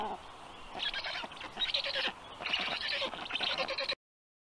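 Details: Black stork chicks cared for in Tartu, Estonia, calling while fed breakfast. Wheezy, buzzy, high bursts rise and fall in irregular groups over soft forest sound, then stop abruptly.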